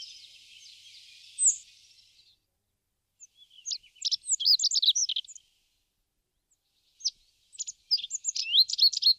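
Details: Rock bunting at a feeder in Crémenes, León, Spain, in March 2019, giving thin, high, sharp notes in two quick scratchy bursts a few seconds apart, after a soft hiss at the start.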